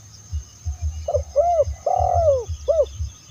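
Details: Spotted dove, Indonesian terkukur, calling to lure other doves: a series of mellow coos, short rising-falling notes then a long drawn, falling coo and a final short note, over a low rhythmic rumbling background.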